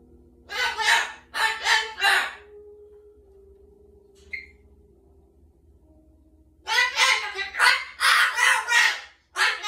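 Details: Rescued pet cockatoo indoors in a small room, mimicking human words such as "Mama" and scolding the household dogs. Two bursts of harsh, speech-like squawked syllables, about four quick syllables at first, then a longer run after a pause.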